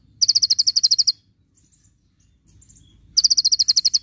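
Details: Konin (Javan white-eye) in full tembakan style: two loud rapid trills of evenly spaced sharp high notes, separated by a near-silent pause with faint thin whistles.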